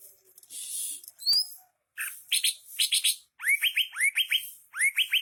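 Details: Greater green leafbird in full, vigorous song: a hissing burst, then a clear upward whistle, clusters of sharp chirps, and a run of repeated rising slurred whistles delivered in rapid groups of three or four.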